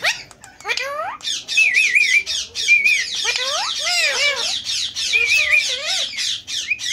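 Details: Indian ringneck parakeet, a pet talking parrot, giving a dense run of sharp harsh squawks mixed with rising and warbling whistles, nearly continuous for about seven seconds with brief pauses.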